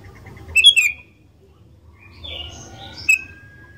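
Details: Bold song of a sooty-headed bulbul, meant to draw other bulbuls into singing: a ringing double chirp, then a burbling phrase, a long level whistle and a final sharp note.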